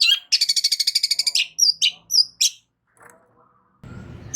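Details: Long-tailed shrike singing loudly to provoke a response from other shrikes: a fast buzzy rattle of about fourteen pulses, then a few high squeaky whistles and a harsh note, ending in rumbling background noise.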